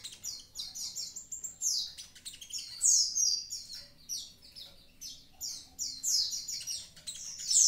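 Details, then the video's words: Energetic song of a Javan pied starling: fast, loud bursts of scratchy, whistled and squealing high notes tumbling in quick sequences with brief pauses between phrases. "konin ijoan gacor aktif"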